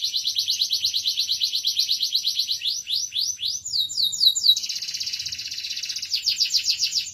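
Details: Domestic canary singing in full voice: a fast, even pulsed trill, then a run of quick rising whistled sweeps, a dense buzzy roll at mid-clip, and a return to rapid trilling.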